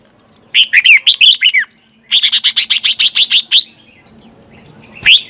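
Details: Red-whiskered bulbul singing a morning song meant to stir other birds into song: two bursts of rapid, loud warbled chirps separated by a brief pause, with a final rising note.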